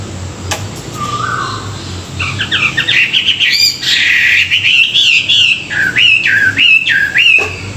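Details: A hwamei sings during morning training sessions: after a soft whistle, the bird builds into loud, rich warbling with jerky up-and-down whistled notes and a clicking phrase toward the end.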